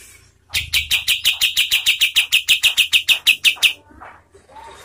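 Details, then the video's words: Rapid regular chirps from a kapas tembak, around twenty notes over three seconds, followed by faint background sounds; a training song used to teach and provoke contest birds. "SUARA KAPAS TEMBAK untuk MASTERAN BURUNG LOMBA ¦ PANCINGAN KATEM"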